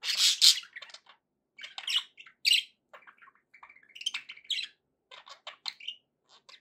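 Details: Budgerigars open with a loud, scratchy squawk, then give an irregular series of short chirps, clicks and whistled squeaks.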